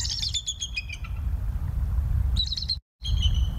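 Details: Decorah bald eagles filmed by a live cam, evening of 21 November 2022: a short run of high squeaky piping notes, a long pause, then another brief shrill burst cut by a dropout, with wind rumble throughout.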